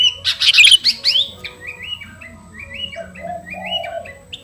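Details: Garuda-type sooty-headed bulbul calling to a rival with vigorous song: an opening burst of loud jumbled chirps, then softer, spaced, slightly descending whistled notes, with faint lower tones in the background.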